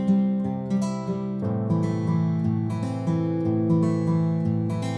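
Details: Strummed acoustic guitar music plays throughout, with steady low chords and no animal voices.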